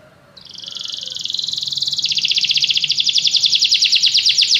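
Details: Canary singing: a high trilled run that starts softly and swells, shifting into a faster, lower rattling trill of rapid repeated notes, with low background hum.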